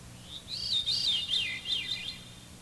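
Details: Veery song from a birdsong identification tape: flute-like notes spiraling downward in successive descending loops, high and haunting, the bird singing in harmony with itself, with faint low tape hum beneath.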